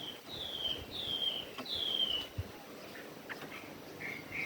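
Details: Chinese hwamei singing in a forest voice: three long descending whistled phrases, then softer short notes, over a low hiss.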